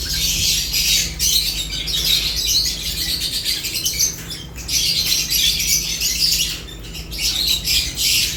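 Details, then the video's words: Several lovebirds feeding and calling: unbroken shrill twittering and squawky chirps in waves, briefly easing twice, over a constant low hum. "Lovebirds unique colors eating and chirps sounds"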